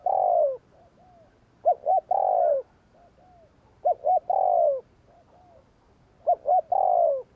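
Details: Spotted dove calling gù kích to lure wild doves: a repeated phrase of two brief clipped notes, a long descending coo and soft trailing coos, heard three to four times, about every 2.2 seconds.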